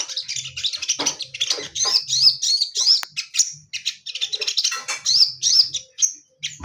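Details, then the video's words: Caged male orange-headed thrush with a female present gives an energetic high warble of squeaky chirps and rising slurred whistles, in short bursts separated by brief gaps. "Burung sogon jantan di untul pakai betina biar tambah gacor mental stabil"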